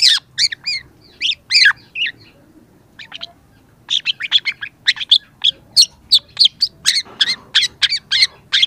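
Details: Young long-tailed shrike singing hard, used to coax quiet shrikes into song: scratchy, harsh high notes in short groups, a brief lull with soft ticks, then a quick steady run of rasping notes.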